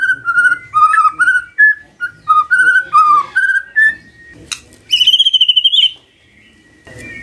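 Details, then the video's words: Morning magpie-robin song used to coax a silent bird to reply: rich whistled notes, varied slurs and trills, then a fast rising buzzy series, with brief pauses between phrases. "Pancingan PAGI PAGI AGAR MURAI GACOR❗ murai diam pasti ikut NYAUT❗❗"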